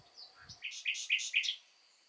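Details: Short spring phrase from a common nightingale: a few soft introductory notes, then four quick, loud, bright chirps in fast succession.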